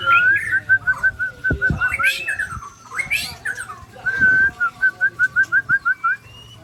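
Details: White-rumped shama of Sabang, Aceh, Indonesia, attacked by Ujong Pancu and Tangse shamas, delivers two long series of evenly spaced clear whistled notes, about four per second, separated by harsh bursts and a faint steady hum.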